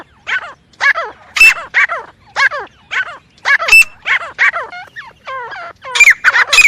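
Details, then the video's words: Grey francolin giving loud, downward-sliding harsh calls, repeated roughly every half second, with a few softer, drawn-out falling notes near the end. "Best teetar sound effect crisp clear and realist"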